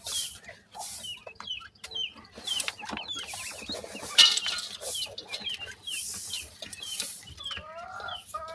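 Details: Dakhni teetar, or grey francolin, chicks keep up rapid thin downward-slurred peeps throughout, many overlapping, with rustling noise bursts and a few lower harsher notes near the end.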